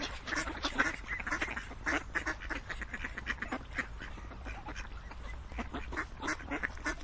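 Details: A flock of ducks keeps up a dense, rattling run of short, harsh quacks, several birds calling at once with brief louder bursts.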